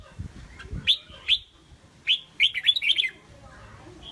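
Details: Caged red-whiskered bulbul, prized for contest singing, giving two crisp separate upswept chirps, then a lively rolling string of five or six warbled whistles, against faint low knocking noises at the start.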